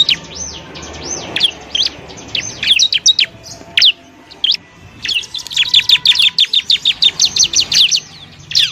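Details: Bar-winged prinia training song for other songbirds: slow arched whistles at first, building into a long, fast, evenly spaced run of shrill chirps in the second half.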